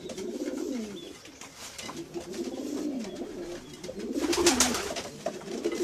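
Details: Domestic pigeons produce low, bubbling coos in repeated swelling waves, with a burst of rustling and wing clatter near the end.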